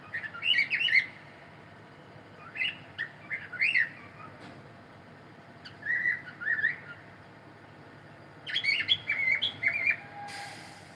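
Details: Male cockatiel singing during a live stream: short bursts of warbled, chirpy whistles rising and falling, repeated in four groups over eleven seconds, over a steady low hum and room noise, with a faint tone near the end.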